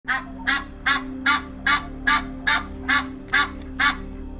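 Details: Goose giving a steady series of short, nasal honks, about ten in four and a half seconds, evenly spaced, over soft background music.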